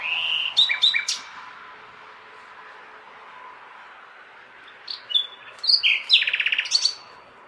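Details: Common nightingale singing on a May night in a large city: a burst of sharp, rich notes and clicks, a long pause, then a rapid buzzy trill of repeated notes, over a steady low hum of urban background noise.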